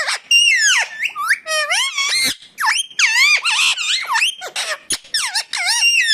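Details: Indian ringneck parakeet with natural calls: continuous shrill chatter of twisting, sliding squeaks and screeches, loud and nearly unbroken over six seconds.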